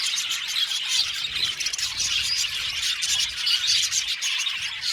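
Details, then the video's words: Budgerigar colony, 70 pairs in an aviary, chirping and squawking together; a thick, high, chattering chorus with scattered sharp whistled notes standing out. "Beautiful Budgies chirping sound"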